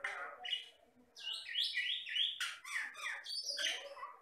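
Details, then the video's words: Vigorous song of a Batam myna, a Riau Islands bird of rice fields and plantations that copies other sounds: rapid high whistled slurs and chirps run together, bright and scratchy, with few pauses. "MASTERAN BURUNG JALAK BATAM GACOR"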